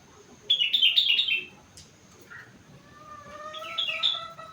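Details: Four-month-old caged sooty-headed bulbul singing a mimicked rengganis song: a quick burst of bright descending chirps, a brief low note, then a softer rising run of chirps over steady whistled tones.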